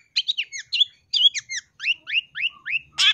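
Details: Long-tailed shrike song used to train birds: a series of clear, downward-sweeping whistled notes, first in quick pairs, then singly about every quarter second, ending with a harsh burst.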